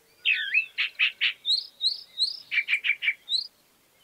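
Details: Chalk-browed mockingbird delivering a rich, continuous phrase. A twisting whistled note and three burry repeats lead into rising high slurs, then four quick chips and a last upward whistle.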